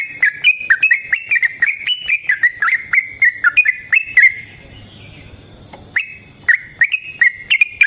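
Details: Sooty-headed bulbul singing energetically as a lure and training model: a fast chain of clear whistled notes, each with a clicking attack, about three per second, breaking off for two seconds before resuming.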